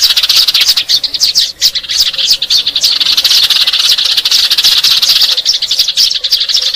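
House sparrow chirping in a dense, continuous chatter of short, bright notes, about four per second, with no pause throughout.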